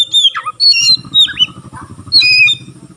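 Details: White-rumped shama singing, claimed to trigger other shamas into song; a few loud slurred whistles and harsh notes in three seconds, with a pulsing low hum behind.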